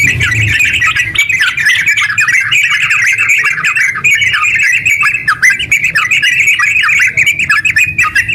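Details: Sooty-headed bulbul in long, continuous 'ngeropel' song used to lure other bulbuls into singing: dense bubbling, chattering phrases pouring out without a break, with a low hum beneath.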